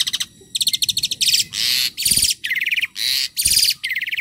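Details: A very tame, highly vocal Asian pied starling sings a busy, varied song of harsh chattering phrases, rattles and bright squeaky notes in quick succession, with no other sounds.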